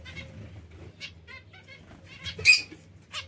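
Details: Zebra finch giving a few short, nasal, harmonic-rich calls spread over about three seconds, with one louder burst midway and a final sharp note, over a faint steady low hum.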